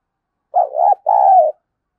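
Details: Spotted dove lure call: a single loud, low coo phrase in two parts, a wavering first note breaking briefly before a longer, smooth, slightly falling second note, with clean silence around it.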